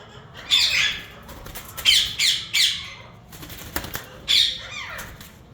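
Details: A yellow Indian ringneck from a breeding pair screeches in short, harsh bursts, one, then a close cluster of three, and a final squawk after a pause, with light rustling between.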